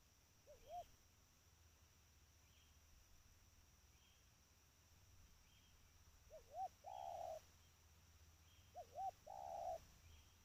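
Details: Trained spotted dove giving soft coos: a lone quiet double note early, then two fuller phrases of two short hoots and a sustained husky coo, over light background hiss and faint high chirps.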